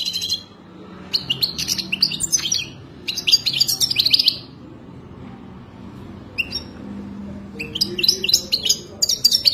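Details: Captive-training song of a European goldfinch in breeding mood: fast, jingling twitters and buzzy trills in several bursts separated by short silences, each phrase bright and rapidly delivered.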